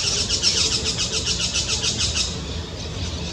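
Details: White-winged Parakeet (Brotogeris versicolurus) in the Brazilian Amazon giving rapid, shrill, scratchy screeches, about three to four a second, fading after two seconds over a low background rumble.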